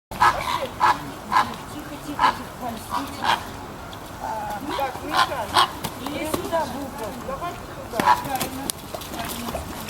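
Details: Greater flamingos being moved into their winter enclosure give short nasal honks near a kilohertz, repeated in loose bursts through the clip, overlapping people talking close by.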